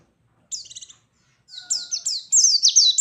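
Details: White-eye ngalas song meant to provoke rivals opens with a lone buzzy trilled note, then builds after a pause into a fast, dense run of shrill descending whistles.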